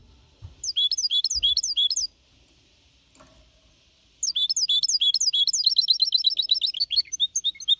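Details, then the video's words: Goldfinch mule of 4.5 months, Copia Malaga style song from 2021 used to encourage other birds; a short twittered phrase, two-second pause, then a long fast run of repeated high notes; soft low thumps early. "Mixto de Jilguero Cantando Limpio (Copia Malaga) 2021 🎶 Tiene 4 meses y medio Para motivar pájaros"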